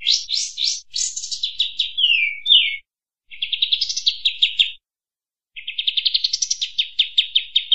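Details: Bulbul, kapas tembak, in a master recording for training cage birds: three phrases of rapid, bright chirps and trills, some rising, some sliding down, separated by short silences; clean, with no other sounds.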